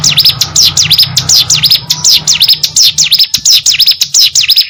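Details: Hill prinia in rapid song: a steady stream of high, sharp notes sweeping down and up, roughly three per second, over a faint low hum.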